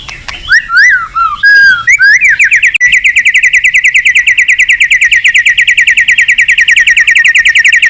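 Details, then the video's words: White-rumped shama singing, played to provoke other shamas into full song: loud looping whistles swooping up and down, then a long, fast, even trill of rapid repeated notes lasting several seconds. "Suara Terapi Burung Murai Batu Gacor Emosi"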